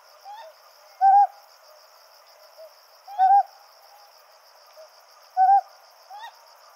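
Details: A male and female Ryukyu scops owl duet at night in the Yaeyama Islands. The male gives short, husky "kohoh" hoots about every two seconds, and the female answers with fainter, higher "nya" notes, over a steady high insect trill.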